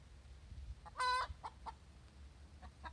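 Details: Hen's egg song after laying, one loud harsh cackling note followed by a few quieter short clucks, against a low constant hum.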